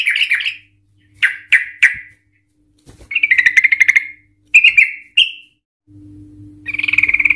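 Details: Sooty-headed Bulbul (Trucukan) singing excitedly in the 'ngikluk' and long 'ropel' style, used as a lure to set other Trucukan singing: slurred chirps, a rapid stuttering trill, a short rising whistle, then a fast repeated run over a steady electrical hum.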